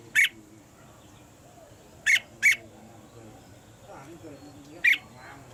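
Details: Caged female red-whiskered bulbul giving calls meant to make the male sing harder: short harsh squawky notes, one alone, a close pair two seconds later, another near the end, with faint background voices.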